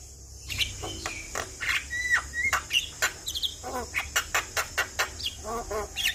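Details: Energetic Asian pied starling song played to coax a stressed starling: clear rising whistles at first, then rapid harsh rasping notes repeated in a steady pulsing series with gurgling phrases.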